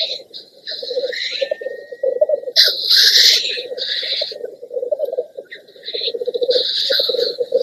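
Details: Black grouse males displaying at a lek to watching greyhens: a continuous low, dove-like bubbling from several males, broken by harsh, hissing sneeze-like bursts.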